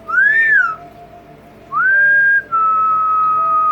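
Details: Captive double yellow-headed amazon parrot at home with its owner gives pure whistles: an arched note rising and falling, a pause, then a rising whistle that levels off and steps down into a long steady tone.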